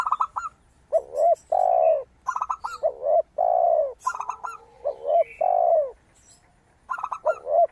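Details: Lively zebra dove singing in a clear, crystal tone, used as a lure recording: staccato runs of high coos repeat between the deep, rising double coos of a spotted dove.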